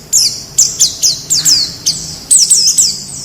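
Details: White-eye from the wild, recorded as training material for captive birds: separate sharp, high, downslurred squeaky notes, some paired, spaced irregularly with short pauses between them.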